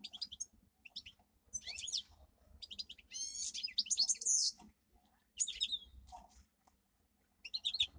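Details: Domestic canary singing as training song: bursts of high twittering phrases and buzzy trills separated by short pauses, with a faint low hum underneath.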